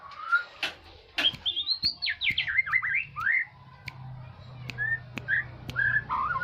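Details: Aceh-type white-rumped shama song used as a lure to agitate other birds: a burst of steep, descending whistled strokes followed by scattered short clear notes, with sharp clicks and a low hum behind.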